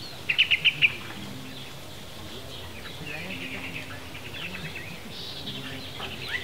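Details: Free-flying Bali mynas around a breeding center in Bali Barat National Park, Bali, three or four birds present, some unbanded and said to be wild-born; a rapid burst of five sharp chirped notes, then fainter scattered notes over a steady background hum.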